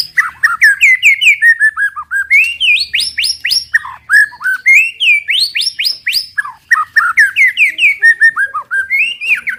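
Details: White-rumped shama song used to provoke other birds into singing: fast, loud, varied whistled phrases, rising and falling sweeps and rapid chattering notes in continuous bursts.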